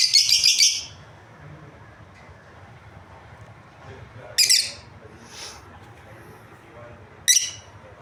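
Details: Lovebird breeding pair: an opening rapid flurry of shrill chirps, then long quiet stretches broken by single sharp chirps and a faint distant note, over low background noise.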